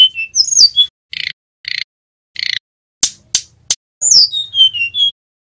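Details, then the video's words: Young male Sunda robin learning ngerol song, used as training audio: quick whistles, three buzzy rattles, three sharp clicks, then a descending series of clear whistled notes. "Tledekan Gunung Jantan Belajar Bunyi NGEROL"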